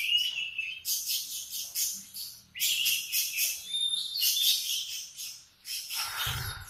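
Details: Canary singing in the morning: high bright phrases of rapid trills and buzzy notes in bursts separated by brief pauses, ending with a short low thump.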